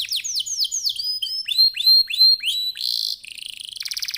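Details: Energetic canary song meant to set off other canaries: descending whistled sweeps, repeated hooked notes roughly every quarter second, a harsh buzzy phrase and a closing fast dry rattle.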